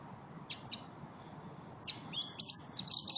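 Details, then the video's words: Thrush song with two sharp high notes, a pause, then a fast tumbling run of squeaky whistled and chattering notes, set against a faint low background hum. "Lijster zang"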